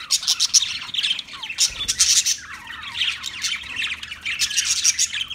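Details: Continuous budgerigar warble of dense, scratchy chirps and squeaks, busy and unbroken, with little pause between notes.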